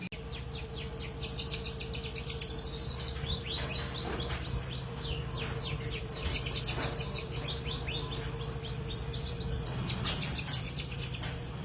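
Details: Canary tutor song for training competition birds: dense, fast stream of high whistled and chirping notes, changing phrases without pause, over a steady low hum and background noise.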